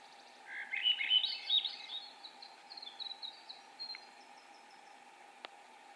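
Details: Swainson's Thrush in Maine singing one fluty, spiralling phrase that climbs steadily higher over about two seconds, its always-rising song, then a few faint high notes, over a steady low hum.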